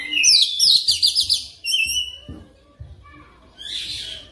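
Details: Oriental magpie-robin lure song for training fast rolling song. A loud dense burst of high chattering trills, then a long whistled note. A quiet pause with low thumps follows before a final buzzy flurry.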